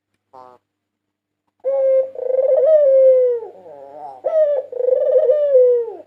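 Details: White dove, a national champion bird of 2022, in a master recording used as a lure to draw other doves: one brief note, then two long, low, rolling coos that swell and fade slowly.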